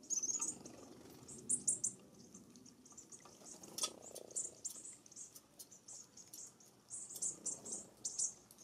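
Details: American Bushtits (Psaltriparus minimus) on a quick suet raid give contact calls, very high, thin, twittering chips in scattered bursts, over a soft low rumble.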